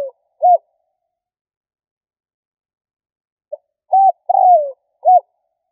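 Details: Spotted dove calling to draw in others: a short arched coo, a long silence, then an arched coo, a long downward-gliding coo and a final short coo in quick sequence.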